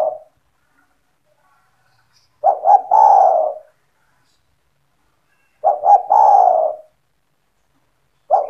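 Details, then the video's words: Spotted dove (tekukur) belonging to the owner, calling strongly to lure other doves: two complete phrases, each a brief stuttered pair of soft notes followed by a sustained low, gently descending coo, separated by about three seconds of silence. "SEMUA TEKUKUR / DERKUKU AKAN TERPIKAT DENGAN SUARA TEKUKUR GACOR INI"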